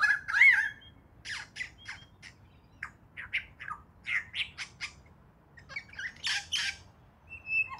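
Superb lyrebird song: a rising and falling whistle, then a run of sharp harsh notes and loud rasping squawks, varied and mimic-like, in a quiet setting.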